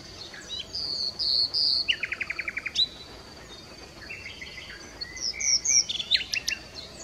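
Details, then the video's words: Singing nightingale: long clear whistles give way to a rapid rattling trill of about eight notes, then varied chirps and sweeping phrases. "Bülbül 🐦 Nightingale"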